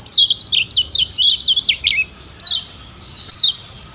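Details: Lombok lemon-bellied white-eye (kecial kuning) in a tutor recording: a two-second burst of high, wavering, rapidly warbled notes, followed by two isolated thin downslurred chirps about a second apart.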